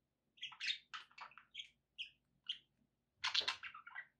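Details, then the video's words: Budgies kept as pets give a string of short separate chirps, squeaky and clipped, then a louder burst of overlapping warbling chatter near the end. "relaxing budgie sounds"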